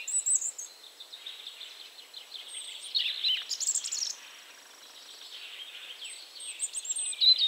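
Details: European robin singing in Poland: thin, high warbled phrases with trills and sweeping whistles, broken by brief pauses, with a few higher twittering notes layered in and faint background noise.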